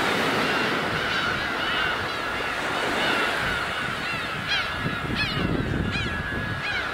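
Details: Black-tailed gulls at Kabushima on New Year's Day 2015, in winter, in the largest numbers seen there that season; a few arching, down-slurred mewing cries rise above a steady roar of surf and wind.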